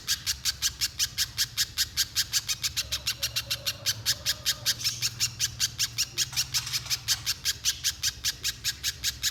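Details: Spiderhunter in full voice, played to coax another spiderhunter into long song: rapid, evenly spaced shrill chips, high-pitched and sharp, repeated several per second throughout, over faint low background hum.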